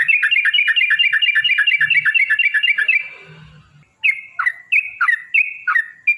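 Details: Yellow-vented bulbul giving a long rapid song, used as a lure to provoke other bulbuls into singing: a fast three-second run of repeated bubbly slurred notes, a brief pause, then a slower series of sharp, spaced, down-slurred notes.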